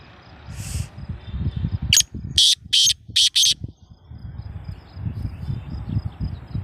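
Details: Black francolin call: a series of five loud, rasping high notes in about two seconds, with rustling low noise before and after.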